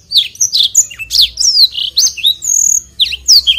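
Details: Energetic blackthroat song for tutoring: densely packed high slurred whistles and chirps with one drawn-out note, delivered without a break.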